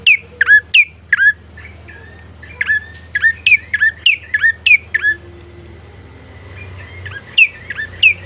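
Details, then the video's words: Bar-winged prinia lure song, loud high chirps with a quick downward bend, in runs of several notes, a quieter pause mid-way and low droning hum throughout. "pancingan prenjak coki GACOR❗ agar cepat bunyi"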